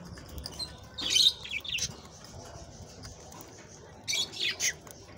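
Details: Budgerigar song meant to stimulate mating, heard as two short bursts of high, scratchy chirping and chatter separated by quiet, with faint background hiss.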